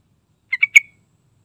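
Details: Yellow-vented bulbul gacor song, a very brief phrase of three quick bubbly notes with the last one loudest and trailing off.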